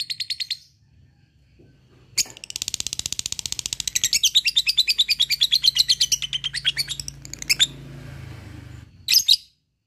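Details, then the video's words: Lovebird ngekek used as a lure: a short opening chirp, a quiet gap, then a sustained stretch of rapid, raspy chattering lasting about five seconds, ending with scattered sharp chirps. "LOVEBIRD NGEKEK PANJANG GACOR SANGAT MUDAH BKIN LWN BUNYI"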